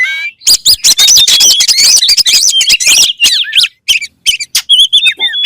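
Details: Oriental magpie-robin (kacer) song, fast and varied: bright whistled slurs and trills between mid and high pitch mixed with dense harsh chattering bursts, brief pauses near the end.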